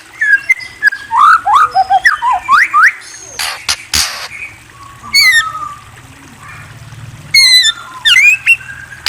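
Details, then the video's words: White-rumped shama pouring out a rapid jumble of bent whistles and chattering notes, then pausing among loud clicks and knocks before short bright upward-sweeping phrases resume. "Murai Bird Chirping"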